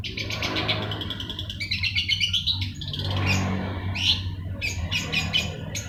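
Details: Long-tailed shrike in vigorous song, a rapid jumble of scratchy chirps, squeaky whistles and buzzy notes, with a continuous low hum beneath.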